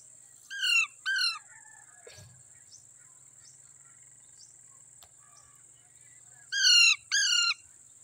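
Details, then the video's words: Green Indian ringneck parrots with a baby parrot: two pairs of short, harsh downslurred screeches, one pair near the start and one near the end, with faint soft chirps and a steady high hiss between. "Green grass Indian Ringneck parrots talking,together baby parrot"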